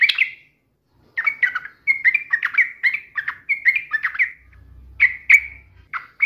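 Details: Yellow-vented bulbul singing in challenge to a rival: a quick string of liquid, bubbling two- and three-note phrases, nearly continuous, with a faint low hum in the background.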